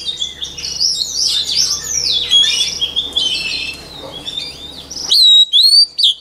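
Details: White-rumped shama song for voice-training songbirds: a long, rich run of tumbling whistles and chattering notes over a low steady hum, ending in three loud, pure, clear whistled phrases after the hum stops.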